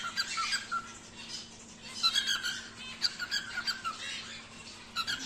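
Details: Home-bred wild-type normal grey cockatiel, five to six months old, kept as a pet indoors, giving a run of bright, scratchy chirps and short squawks in quick bursts, with brief whistled notes between them.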